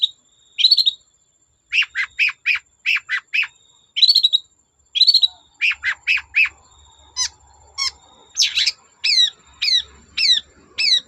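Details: Long-tailed shrike in lively song, used to get untrained shrikes singing. Varied phrases of repeated sharp chirps and buzzy notes in groups of three or four, ending with a series of quick falling whistles.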